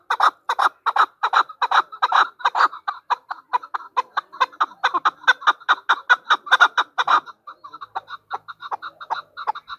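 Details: A female chukar partridge calls with fast, harsh chuck notes in an uneven rhythm, loud at first, then softer, thinner clucking notes trail off in the last seconds.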